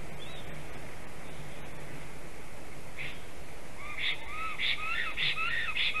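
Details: A Black Stork at its nest in Sigulda, Latvia, at 12:40 pm on 11 April 2021 sings while rearranging twigs: a run of wheezy, rising whistled notes, about two a second, building after a quiet start, over a steady low wind rumble.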